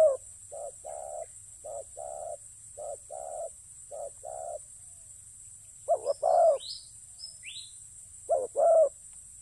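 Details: Soft repeated paired coos from a spotted dove used as a ground-trapping decoy, then a pause and two louder closer coo pairs, with faint high chirps of another bird between them.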